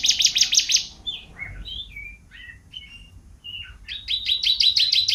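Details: Tutor song of a champion canary: a fast buzzy trill, then a string of varied whistled slurs at differing pitches, ending in another rapid high rolling trill.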